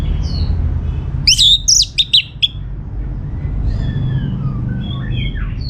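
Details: Orange-headed thrush song as a lure for other birds: a burst of loud, sharp, slurred high notes, then softer distant whistles from other birds over a low hum.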